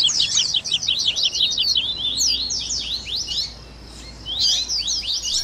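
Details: Warm-up recording for a captive double-collared seedeater: a fast run of sharp, high, scratchy notes, a short quieter gap, then another burst of twittering.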